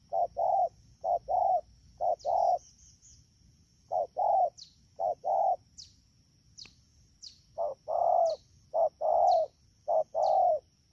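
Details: Wild-caught spotted dove, rainy season, Đak Tô, 3 October 2019: bursts of low short-long coo pairs broken by a two-second gap, while thin high chirps from another bird sound repeatedly above a steady whine.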